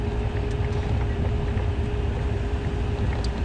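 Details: Steady low engine rumble and wind with a faint constant hum throughout; no animal calls are heard.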